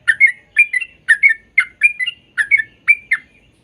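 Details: Sooty-headed bulbul recording for prompting young birds to sing: paired and tripled liquid whistled notes in phrases repeated about twice a second, clear and steady.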